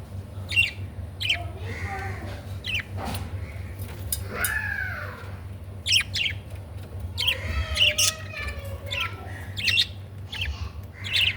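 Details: Budgerigar chirps: short high notes scattered through, mixed with warbled, slurred chatter and a rising-falling squeaky phrase midway, above a steady low hum.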